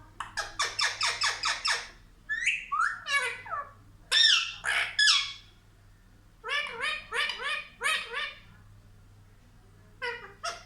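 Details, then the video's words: Child-like talking from a pet parrot: a fast series of clipped syllables, then squawky, swooping phrases and later another rapid bout of short, speech-like notes, with quiet gaps between. "बच्चे जैसा बात है हमारा तोता ll Talking Parrot"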